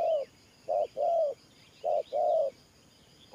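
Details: Two short-long coo pairs from a spotted dove decoy in the 'Thổ Pha Nước Gù' cooing style, low and mellow, with faint chirps of other birds in the background.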